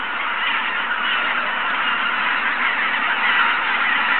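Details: Early-morning goose chorus at Izunuma, 6 am: countless calls blend into a steady, unbroken roar that swells slightly toward the end.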